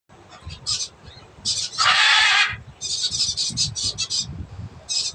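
A blue-and-yellow macaw gives one loud, harsh, grating squawk lasting under a second, set among bursts of scratchy, high chattering notes.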